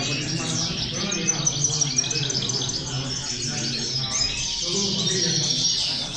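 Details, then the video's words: A chorus of female European goldfinches used to motivate goldfinches: busy, overlapping high-pitched twittering with quick liquid trills and a few clicks, over a low hum. "corona de caderneras, motivador de jilgueros"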